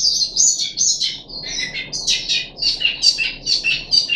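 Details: Captive puff-backed bulbul during deworming treatment, third day, 14 July 2021, singing quick, choppy high notes, several per second, some shrill and buzzy, in an uneven, lively sequence.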